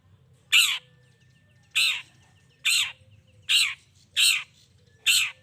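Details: Long-tailed shrike calling to provoke other shrikes into responding: six rough, rasping squawks repeated roughly every second, with faint ticking notes and a thin steady tone between them.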